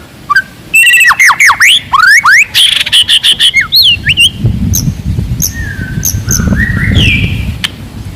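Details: Wild forest white-rumped shama singing loudly and aggressively to provoke rivals: rapid series of clear downslurred whistles and sharp notes, then sparser high chips and a rising whistle over rumbling low background noise.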